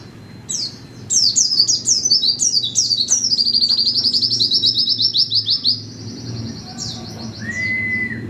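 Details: White-eye in loud, rapid song: quick falling high chirps merge into a fast, buzzy, even trill lasting several seconds, then a thinner sustained trill and a lower whistled note near the end.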